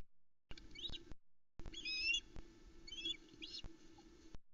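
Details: Wild Ospreys at the Loch Arkaig nest, Scotland, mob the male arriving with a smallish whole trout on the evening of 7 July 2020, nest camera. Loud, piercing whistled chirps and rising squeals come in bursts over a faint hum.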